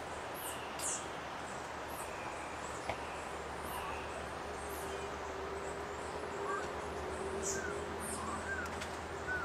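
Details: Ochre-breasted Antpitta at Refugio Paz de las Aves, Ecuador: soft, short whistled notes, each slightly upslurred, repeated about once a second in the second half, over steady broadband forest hiss with scattered high chirps.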